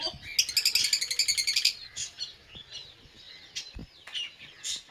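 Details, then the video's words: Lovebird chirps: a rapid series of bright, high, evenly pulsed notes for about a second, followed by softer, irregular squeaky tweets and short rasping sounds. "Lovebird Singing & Chirping Sounds"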